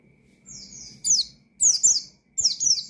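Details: Oriental white-eye calling out rivals with ngalas song: a soft high trill opens, then three loud bursts of piercing, quickly falling chirps roughly every 0.7 seconds.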